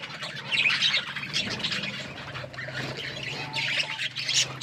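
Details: Budgies chatter in soft, scratchy warbles with occasional brighter squeaks, rising in loudness toward the end, over a low background hum.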